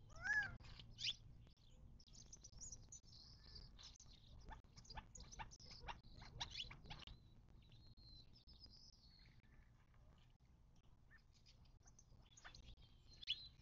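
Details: Desert birds at a watering hole in the western Mojave Desert, southern California, near Joshua Tree National Park, 19 March 2024. A brief rising-falling harmonic call opens, followed by rapid irregular clicking patter and scattered high chirps.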